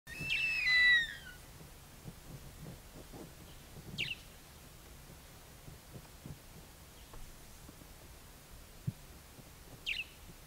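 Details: Juvenile Verreaux's eagle-owl calling in Kruger National Park: one loud, harsh, descending whistled screech with rich overtones, about a second long, opening the recording. Two brief faint high notes follow several seconds apart over a low rumbling background.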